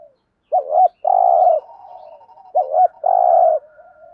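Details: Spotted dove urging coo meant to spur other doves to call: two phrases, each a quick wavering note and then a broad buzzy coo, with a faint drawn-out hum trailing after.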